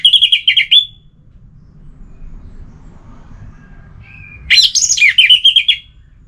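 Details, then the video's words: Orange-headed thrush, relaxed-style song: a fast burst of bright, high warbled notes, a pause with a faint thin whistle, then another quick, twittering phrase of sweeping notes over a low background rumble. "Anis Merah Bunyi Santai"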